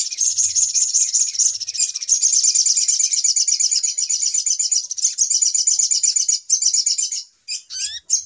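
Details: Noisy 'pikat ribut' lure of little spiderhunter, called sogok ontong locally, for trapping birds: a continuous stream of fast, shrill chattering notes, ending with a few separated bursts and a single rising whistled slur.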